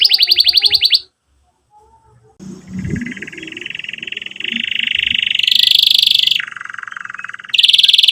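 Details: Lively canary song used for training young canaries and as therapy for silent ones: a short high trill, a pause, then a rising rolled trill, a lower roll and a final high roll, with faint background sounds.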